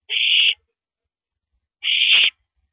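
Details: During a rabbit hand-off between owl mates at the nest on April 9, 2012, 9:14 PM, two long, coarse screeching hisses sound, over a second apart, in otherwise quiet surroundings.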